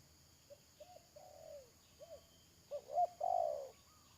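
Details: Spotted dove working as a decoy to lure wild doves for trapping. A series of short, hollow coo notes builds up to two strong coos and then a long, loud, wavering final coo.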